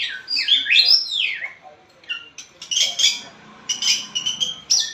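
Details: Lively white-rumped shama song of looping, slurred high whistles, then a series of short, sharp chirps and clipped whistled notes in rapid, varied bursts.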